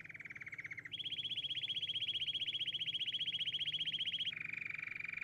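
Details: Canary singing long, rapid, even trills, one tour held at a single pitch for several seconds before switching abruptly to a higher tour and then dropping to a lower one, each very regular and fast.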